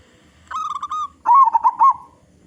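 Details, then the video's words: Local-strain zebra dove with a big voice, its song used as a lure to set other zebra doves singing: a short series of even cooing notes, then a louder burst of rolling, quavering coos. "Perkutut Lokal Gacor Suara Besar Suara Paling di Sukai Burung Perkutut apa saja"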